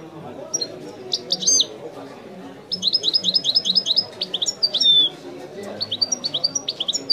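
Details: European goldfinch singing authentic Wideni-style song: scattered sharp twitters, then a sustained run of fast, liquid repeated notes with clear whistles mixed in. Low murmuring voices carry on in the background.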